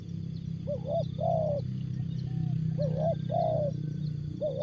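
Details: Spotted dove cooing in jergot style: two phrases of a rising double coo and a longer falling coo, with a softer coo between, partly masked by heavy low rumbling noise and a faint high buzz.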